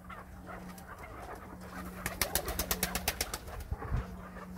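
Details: Captive chukar partridge in Krasnoyarsk, prompted by its owner to call: after two quiet seconds, a burst of sharp, clipped notes repeats about four times a second for two seconds, with a steady low hum and room noise.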